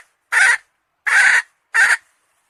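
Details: Three harsh, rasping squawks from a hen, each roughly a third of a second long and spaced under a second apart.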